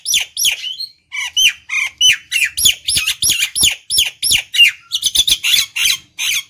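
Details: Song of a Nias hill myna, played to stimulate and lure other birds: rapid, uneven series of harsh squawks and bent whistles, roughly three notes per second, continuing without a break.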